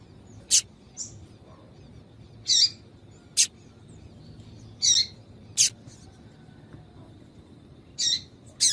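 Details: High, harsh chips from a female double-collared seedeater, a call meant to warm up a male so he keeps singing; about nine short notes at uneven spacing across several seconds, with faint background hiss.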